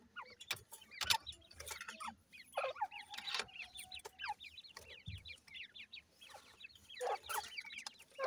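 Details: Captive-raised francolin chicks, known locally as desi Irani teetar, give a dense stream of short, high, rising peeps that overlap in quick succession. Sharp clicks and knocks come through now and then.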